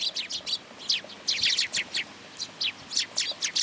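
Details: Sparrows crowding in for food at a Tenmangu shrine, 10 July 2022. Quick, bright chirps follow one another steadily, several birds calling over each other.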